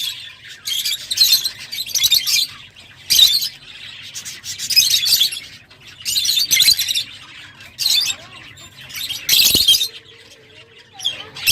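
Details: Loud, continuous high-pitched twittering and scratchy chatter from lovebirds in long bursts of about a second, separated by short pauses.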